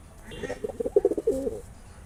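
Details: Male pigeon courting a female with one short bout of throaty coos: a quick run of low, pulsing notes that rises in loudness, then ends in a drawn-out moan.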